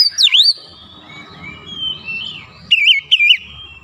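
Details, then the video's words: Kacer (Oriental magpie-robin) lure song to excite other birds: one loud downswept whistle, a long run of soft thin notes over a low rumble, then two bright wavering whistled phrases. "KACER MANAPUN GAK BAKALAN DIAM MENDENGAR PANCINGAN AMPUH TERCEPAT BIKIN EMOSI"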